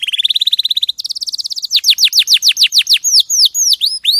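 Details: Canary of champion quality in a clear tutor recording for other birds: a fast rising buzzy trill, a higher even trill, then a run of looping downswept whistles repeated about four times a second.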